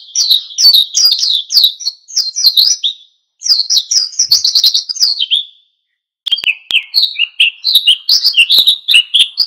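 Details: Oriental white-eye singing a lively wild-style song meant to provoke other birds into singing: rapid high twittering phrases of quick chirped notes, broken by two short pauses, with no other sounds.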